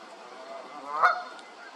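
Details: A single short, harsh Canada goose honk sounds midway, set against a faint steady hiss.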